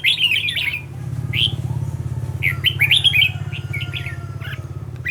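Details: Trained decoy red-whiskered bulbul singing clipped, bright warbled phrases and chirps in loose groups, over a loud steady low engine-like rumble running throughout.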